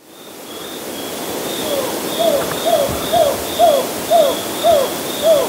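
Whiskered screech owl giving a series of seven short, mid-pitched barking hoots, about two per second, over a faint steady high insect-like hum.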